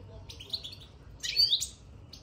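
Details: Caged European goldfinch, recently moved into its cage, gives a soft buzzy twitter followed by a louder, bright, tinkling burst of descending slurred notes.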